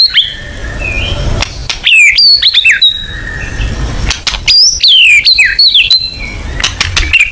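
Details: White-rumped shama in full song for a lure recording: loud, varied whistled phrases with swooping high notes and steady lower whistles, in bursts separated by brief pauses, with clicking noises and low rumble beneath.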